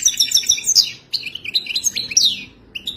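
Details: European goldfinch singing a wild-type 'widani' song: rapid high twittering phrases with sharp descending notes, a short pause, then more buzzy trills and chirps.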